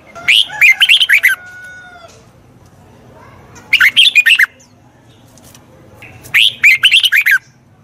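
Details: Red-whiskered bulbul song used to train wild-caught birds: three separate bursts of fast, bubbling, warbled chirps spaced a few seconds apart, with a faint thin whistle after the first and quiet pauses.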